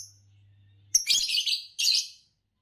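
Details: Fischer's lovebird giving shrill, grating chirps: one sharp note, then a sustained scratchy chatter and a second short harsh burst after a low background hum fades.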